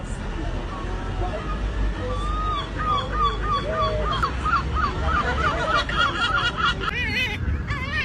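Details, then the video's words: Seagull laughing: a fast run of short, rising-and-falling yelps in the middle and later part, heard over steady low rumbling noise, traffic-like sound and faint voices. "Be laughed at by seagulls is as simple as breathing"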